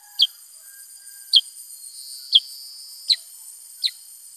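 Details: Black-headed bulbul giving five bright, clipped notes, each dropping quickly in pitch, about one per second, over a persistent shrill background tone.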